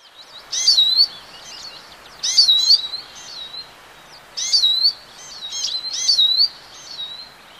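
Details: European goldfinch song: bright tinkling, liquid phrases of quick twittering notes and sweet slurred whistles, delivered in short bursts about every two seconds with quiet gaps between.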